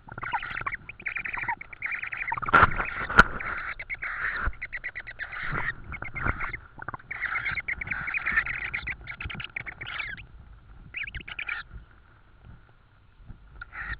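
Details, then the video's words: Tawny owl at a nest in Estonia, evening of 4 May 2013, as food, an insect, is brought again: long runs of fast, raspy, pulsed notes with short pauses, then a quieter stretch and a final burst. "TawnyOwl 2013-05-04-21h09m - food again , insect"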